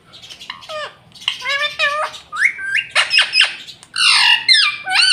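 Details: Pet rose-ringed parakeet talking, meant to say mummy and papa: a run of harsh, harmonic squawky syllables with sliding pitch, loud and close, packed together over five seconds.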